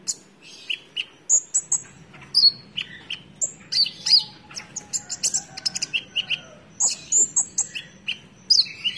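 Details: Konin singing energetically ('gacor'): rapid, varied phrases of high chirps, clear whistled notes and short buzzy trills, delivered in quick bursts with brief gaps, over a quiet low hum.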